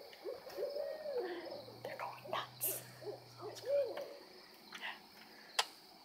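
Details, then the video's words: Owls going nuts close by, calling in a lively chorus of quick hooting notes that rise and dip, with low hum, soft whispers and a sharp tap near the end. "Owl sighting with my mom! Listen..."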